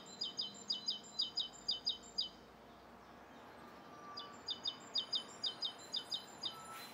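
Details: Bishopston, Bristol, 29 November 2014, morning: a Rose-coloured Starling gives a long series of crisp, high doubled chirps, about two each second, a short break, then another even run.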